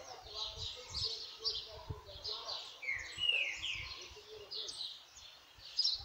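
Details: A timid green-winged saltator sings bright, whistled phrases in quick overlapping runs, over faint low thumps and a murmur like distant voices.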